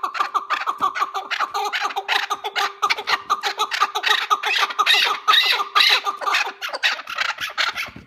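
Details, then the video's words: Several chukar partridges call at once, harsh clucking chuk notes tumbling over each other about twice a second, over a low steady hum. Chukar partridge. "Keklik Sesi Efsane (Keklik Hengamesi)"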